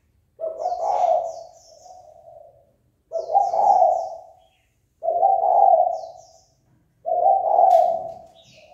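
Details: Spotted dove, kept as a cage bird, calling to provoke rivals to fight: four deep cooing phrases about every two seconds, each a loud throaty coo trailing into a softer, longer note, with faint high chirps from other birds.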